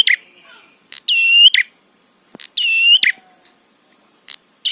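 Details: A prinia's provoking call for rival prinias. Two long, reedy buzzes with sharp clicks before and after, separated by scattered ticking notes.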